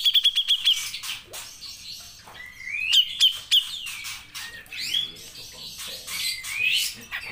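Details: Grey-cheeked bulbul delivering long 'nembak' song: a quick opening trill of high notes, then varied whistles, sharp downslurs, and sweeping rising slurs spread over several seconds.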